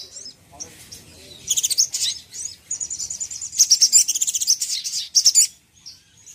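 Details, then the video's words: Provocative song of a crimson sunbird: bursts of shrill, rapidly pulsed high trills alternating with short thin whistles, ending abruptly, with quiet background. "Suara Yang Bikin Sogon Emosi dan Ngamuk"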